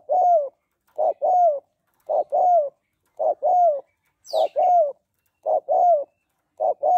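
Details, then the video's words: Female spotted dove calling to excite a male. Paired low coos: a short note, then a longer slurred note that falls at its end. The pairs repeat steadily about every second, with one brief high chirp midway. "Tiếng Cu Gáy Giọng Hạp BổI ĐỦ BÀI [ GÁY GỌI,THÚC,GÙ ]Kích Bổi Nhanh Nổi"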